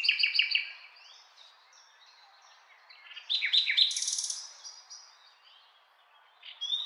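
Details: Common nightingale singing: a quick run of repeated sharp notes, a quiet pause with faint soft whistles, then a loud burst of buzzy, rattling notes followed by thin high phrases.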